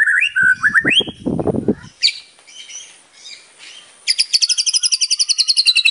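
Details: White-rumped shama in full-repertoire song used as a lure: mixed whistles and rising notes, then a low harsh burst, scratchy pieces, and a fast high trill of repeated notes at the end.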